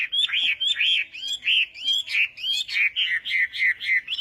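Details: Morning voice training of a Chinese hwamei for song contests: a steady series of rich, arched whistles, each dipping at the end, repeated about twice a second with faint background noise.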